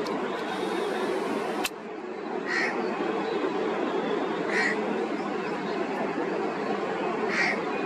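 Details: Indian grey hornbill calling three times, single harsh squeaky notes spaced about two seconds apart, with a sharp click early on and constant broadband background noise throughout.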